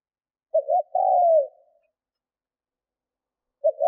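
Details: Decoy spotted dove in training, cooing to stir up wild doves: one full phrase of clipped introductory notes and a drawn-out, descending coo, then silence until the next phrase begins.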